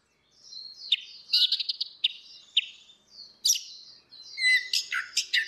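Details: Female and male orange-headed thrush in ngeplong song, used as a lure for silent birds; high thin whistles and clustered sharp chirps, closing with a dense burst of varied notes.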